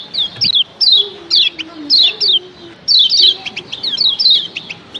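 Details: Female and male kecial kuning calls combined to excite other kecial: bright, falling high chirps in quick pairs and triplets, about one burst per second, with low, wavering tones faintly underneath.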